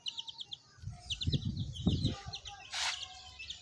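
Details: Baby chicks chirping, rapid high peeps repeated in a steady stream, while low thumping and handling noises sound in the middle and a short hiss of noise near the end.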